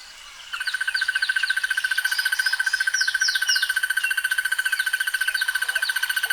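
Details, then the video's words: Insect-like buzzing trill of a crested barbet, southern African savannah-to-forest bird, beginning suddenly and continuing as a dense, regular rattle, while other birds give short slurred whistles above it. "The sounds of Crested barbets"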